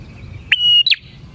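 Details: Single bar-winged prinia phrase from a lure recording for attracting prinias: a sharp click, then a level, piercing whistle about a third of a second long, ending in a quick higher chip, with faint low rumble behind.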